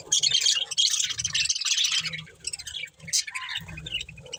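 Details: Budgerigar breeding pair chirping: dense, high, scratchy warbling chatter in quick bursts, with a brief lower rising note near the end and faint low thumps beneath.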